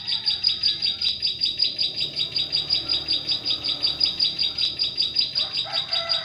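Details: Bar-winged prinia song serving as a bird-catching lure in forest: sharp, high-pitched notes pulse in a steady rhythm about every 0.4 seconds, with a faint low whistle near the end.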